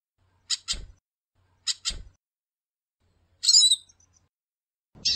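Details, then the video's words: A female goldfinch calling a lot at a breeding facility gives high, thin paired chirps about a second apart, then a brief buzzy twitter, with faint soft knocks beneath; goldfinch. "Fêmea de Pintassilgo Piando e chamando muito"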